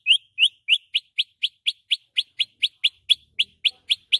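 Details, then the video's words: Morning song of a white-rumped shama as a steady sequence of sharp rising chips, about four per second, high-pitched and evenly repeated throughout. "SUARA MURAI BATU KICAU MANIA PAGI NAIK EMOSI OVER GACOR"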